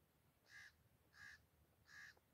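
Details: Black francolin calling: three evenly spaced, harsh, nasal notes with strong overtones, each about a fifth of a second long and repeated roughly every 0.7 seconds, over faint steady background hiss.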